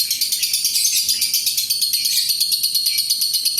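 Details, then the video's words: Lovebird's long 'ngekek' trill, used as a lure so other lovebirds sing: a rapid, high, rattling chatter of tightly repeated notes, about eight per second, held steadily through the whole stretch. "SUARA BURUNG LOVEBIRD INI AMPUH UNTUK PANCINGAN LB LAIN NGEKEK PANJANG"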